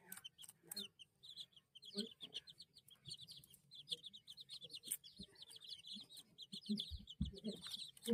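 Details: Baby chicks peeping in rapid runs of short, high chirps, many birds calling over one another, with scattered clicks, bumps and low scuffling noises.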